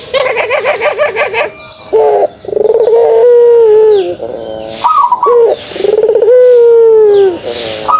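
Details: Kugeruk call of a pelung dove: a rolling, rapidly pulsed low coo at first, then long smooth humming coos with short breaks, one ending in a slight downward slide. Sparse high bird chirps are mixed in.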